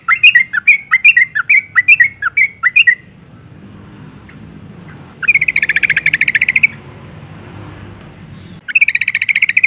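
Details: Calling female yellow-vented bulbul meant to trigger male song; a run of paired clipped chirps, a pause, then a long rapid bright chatter and another starting at the end.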